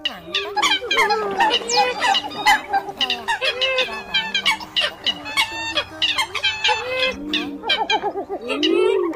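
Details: Eurasian coot calls used as a trapping lure. A dense, continuous din of many overlapping birds gives nasal honking notes, sharp clipped yelps and rising squeals, over faint steady droning tones throughout.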